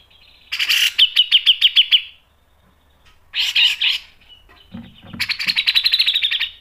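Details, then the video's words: Grey-cheeked bulbul in vigorous tutor-recording song, mbeset, ngepik and nembak styles: a quick trill of sharp repeated notes, a brief harsh burst, then a long fast rolling trill of bright notes at the end. "MASTERAN CUCAK JENGGOT GACOR MBESET NGEPIK dan NEMBAK tajam | PANCINGAN CUCAK JENGGOT"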